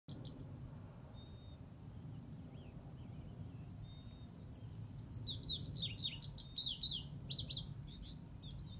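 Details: An Indigo Bunting sings over the ruins of Van Slyke Castle at Ramapo Lake, Oakland, New Jersey: a bright, high, rapid run of paired notes that grows louder in the second half, over a steady low rumble of wind or distant traffic.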